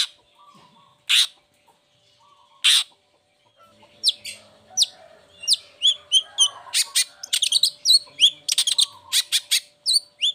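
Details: Lure song of a long-tailed shrike (cendet) for lazy or moulting birds: two harsh rasps open, then a fast, lively chatter of sharp chips and clipped whistles building in pace, with a faint hum behind.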